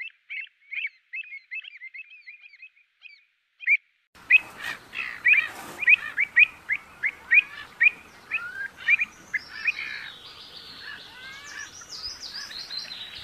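Pied avocet giving clear, fluty 'kluit' notes, three or four per second. After a brief pause a hissy background rises, and higher calls from other birds join near the end.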